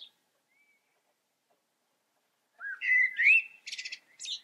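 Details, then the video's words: A blackbird's song phrase after a quiet stretch: mellow, fluty whistled notes sliding upward, then a buzzy high twitter and a few thin squeaks to close. "Amsel singt. Blackbird sings"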